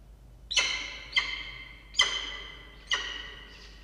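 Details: Falcon calling at the nest on 6 October 2023 at 16:43, with two newly hatched chicks beneath: four loud, harsh, ringing calls, spaced roughly every 0.6 to 0.9 seconds, each fading into echo.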